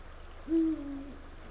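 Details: Late afternoon, 17 February 2023 at 16:45: a male Eurasian eagle-owl calls his mate near the nest with one low, hollow hoot. It swells at once, stays level, then eases downward before fading, with soft steady hum underneath.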